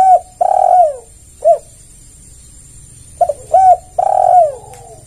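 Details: Spotted dove lure call for drawing other doves: a long low coo, a lone short note, then a phrase of quick short coos ending in a drawn-out, gently falling coo.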